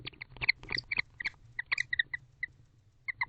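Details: Barn owls, a bonded pair at an owl box at 11:48 pm in October 2023, billing and mating; quick series of short squeaky twittering chirps, irregular and clustered, with scratchy rustles and a faint low hum.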